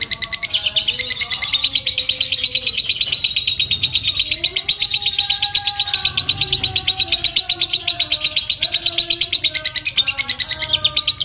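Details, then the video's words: Fighter lovebird in an extended ngekek chatter, played to rile other lovebirds and to tutor birds; a dense, unbroken rattle of high metallic chips for over ten seconds, with soft lower warbles in the background. "Suara Burung Lovebird Fighter ngekek panjang mantap"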